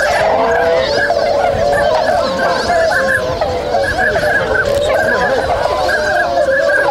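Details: Swans stirring awake at the wintering site in Inzai, Chiba Prefecture, on 16 January 2022; a large flock gives steady overlapping honks and trumpeting notes, an unbroken clamour with a brief slight dip midway.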